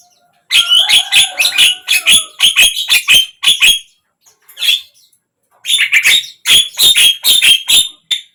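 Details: Javan myna song used to prompt a silent bird to open its beak: rapid rattling series of harsh chattering notes, a faint steady whistle beneath the first run, a pause, then another fast chattering burst.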